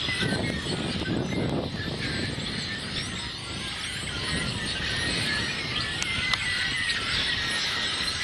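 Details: A busy flock of yellow-headed blackbirds on 19 April 2016 gives dense, overlapping harsh chatters and squeaky notes, with a steady low rumble of wind underneath.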